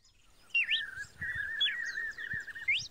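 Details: Red-cowled cardinal singing: a sharp rising-falling whistled note, then a long buzzy warbling phrase that holds steady, with brief upward flicks near the end. Faint low background noise.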